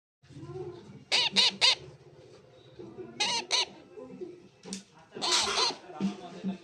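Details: Young pet parrot giving harsh, squawking "chi chi" calls in short clusters of two or three, with softer chatter between bursts.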